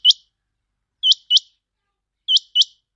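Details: Lure call for catching quail: short, piercing, upward-flicking notes, mostly delivered as double notes about a second apart, with a clean, silent background.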